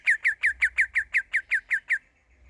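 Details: Young sooty-headed bulbul learning to sing, producing a rapid series of eleven identical downward-sweeping chirps, about six per second, that stop abruptly, followed by near silence.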